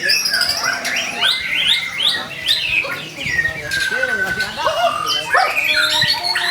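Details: Shama pouring out a provoking song for other shamas: repeated rising whistled slurs, hooked notes and scratchy chatters, a long flat whistle midway, phrases following each other quickly.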